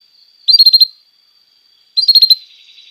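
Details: Canary tutor song for training young canaries: two short bursts of rapid, high buzzy trilled notes about a second apart, with a faint steady high tone running underneath.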